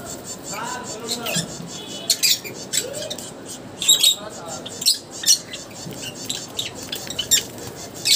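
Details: Several aviary Java sparrows at bath time give sharp, high chirps in quick irregular runs, mixed with splashing, fluttering bursts and some low muffled voice-like sounds.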